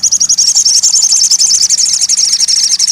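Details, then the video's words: Crested jay, in therapy sound for a bird that will not sing: a loud unbroken very fast high rattle throughout. "TERAPI RAJANYA SOGON MACET BUNYI"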